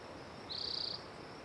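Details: Spotted towhee singing a single buzzy trill, about half a second long, high-pitched and steady, with rapid even pulses over quiet background hiss.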